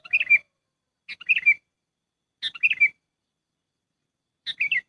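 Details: Lure call of a sooty-headed bulbul used in trapping: four bubbly chirp phrases of rapid falling notes, the last after a longer pause, with nothing else audible.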